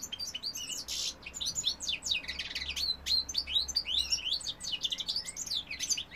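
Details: Singing male goldfinch: dense, rapid cascade of high liquid twitters and sharp chirps, one harsh buzzy note early on, the phrases tumbling together without pause.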